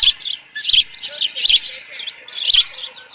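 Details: Osprey at its nest with left over fish, 13 June 2018, late morning; loud piercing chirps in bursts roughly every three-quarters of a second, softer chatter between.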